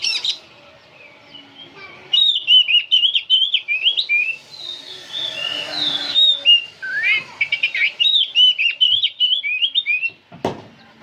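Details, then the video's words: Old oriental magpie-robin singing without pause: rapid series of sweet whistled notes and trills, wavering and slurred, repeated in quick bursts with brief gaps and a sharp click near the end. "Kacer tua jiwa muda nyerecet bunyi tanpa henti"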